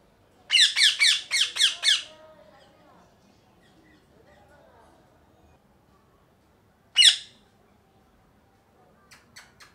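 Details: Parrot calling loudly: a quick run of five harsh, shrill squawks in the first seconds, then a long quiet stretch and a single sharp squawk near the end, followed by faint ticks.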